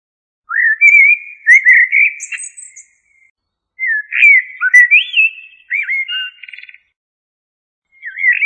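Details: Blackbird song in separate phrases several seconds apart. Each phrase is made of rich, liquid whistled notes that rise and dip, and most end in a brief high twitter or a scratchy buzzy flourish. Between phrases there is silence.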